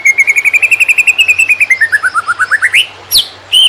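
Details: Greater green leafbird singing a "konslet" master song meant for training wild-caught birds: a quick even trill of about twenty notes gliding gently down, dipping lower, then sweeping steeply upward, followed by a sharp falling chirp.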